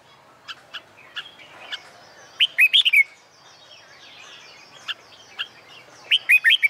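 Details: Red-whiskered bulbul training for song contests in summer sunshine: scattered soft chirps, then two loud, rolling phrases of four to five quick notes, with other small birds twittering throughout.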